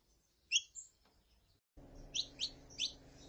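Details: Female saffron finch calling to warm up a male: two sharp chirps, a pause, then three more falling chirps over a low steady hum.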